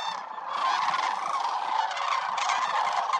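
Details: Wintering flock of migratory sandhill cranes at the Willcox Playa Wildlife Area, among more than 20,000 birds; many cranes call at once, a steady wall of loud, rattling, trumpet-like calls without pause.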